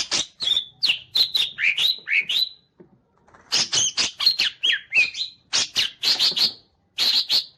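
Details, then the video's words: A tail-fanning green leafbird sings energetically: repeated sharp chips alternating with rising and falling whistled slurs, roughly two per second, in two long bouts split by a short break. "CUCAK IJO MAIN EKOR NGIPAS"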